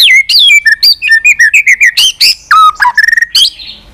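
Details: White-rumped shama singing loudly and clearly in a recording meant to rouse a bird: a quick run of rich whistled notes, some sliding down and some chirped, ending in short fast clipped notes and a final bright whistle.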